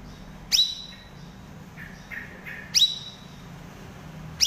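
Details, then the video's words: Cucak rawis used to train cage birds: single sharp high falling chirps about every two seconds, with soft lower warbled notes between, over steady faint background noise. "Suara Burung Cucak Rawis Cerewet Gacor"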